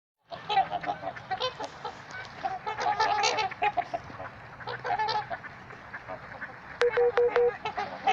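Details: Trumpeter swans at Gallup Park, Ann Arbor, Michigan: a flock gives loud, nasal, horn-like honks that overlap almost nonstop, with one longer, steady trumpet note near the end.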